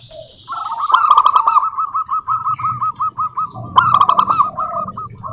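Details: Indonesian local zebra dove song played to coax other doves into singing: long rolling chain of quick, even cooing notes, two louder bursts, faint high bird chatter and a low background rumble.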